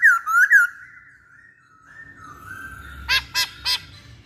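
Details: Masked laughingthrush lure song: two loud rising whistles, a quiet wavering stretch, then three harsh loud squawks in quick succession, the bird kept in captivity.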